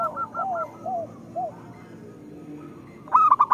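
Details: Zebra dove song meant to lure reluctant local doves into singing: a run of soft, wavering coo notes that fade out mid-phrase, then after a short quiet gap a sudden bright, clipped burst of rapid higher notes.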